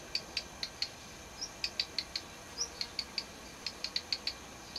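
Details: Black redstart, recorded in 2004, gives a run of short, high, dry ticks and brief whistled notes, uneven but two to four a second, over faint background hiss.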